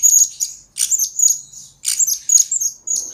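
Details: Shrill chattering song of a blue-crowned hanging parrot, kept as lure and master recording for trainee birds: dense clusters of sharp, high squeaks about every half second, some thin held whistles, quiet background.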